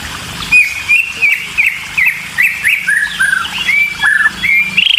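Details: White-rumped shama chicks, described as always hungry, calling while a parent feeds them: rapid series of short slurred whistled notes, several each second, some rising and some falling, with a faint low hum beneath.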